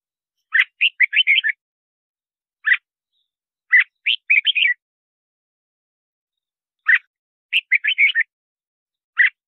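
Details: Red-whiskered bulbul song for luring wild birds into a trap and training singing: repeated short bursts of four to five lively warbled notes, separated by single sharp notes and pauses of one to three seconds, no other sounds.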